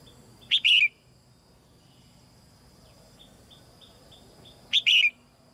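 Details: Female red-whiskered bulbul singing in a cage to spur newly grown birds; two bright two-part whistled phrases about four seconds apart, with a faint run of short high notes between.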